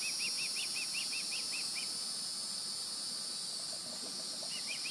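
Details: Juvenile Osprey near its nest, fledged, July 16, 2020, giving quick high arched chirps in a run of about ten, a pause, then a few more, with constant background hiss.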